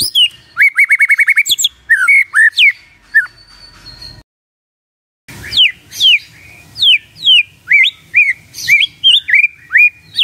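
Oriental magpie-robin song: a rapid trill of repeated high notes, then loud clear whistles that slide up and down in varied phrases, broken by a brief cut to silence.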